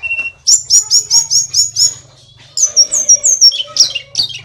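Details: Tledekan gunung native to Kokap, Kulon Progo, Yogyakarta, a mimic singing actively: one low whistle, a rapid series of about eight high downslurred chips, a short gap, then sharp whistled notes falling in pitch.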